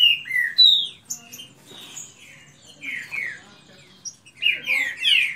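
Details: Captive green-winged saltators in a fast song contest trade loud, rich whistled phrases, quick and varied, some slurred downward and others rising, the bursts in close succession as in a song duel.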